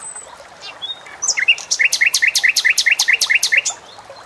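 A bulbul sings a rapid run of about a dozen bright, repeated notes, each a sharp rising-falling chirp, after a few scattered high whistles.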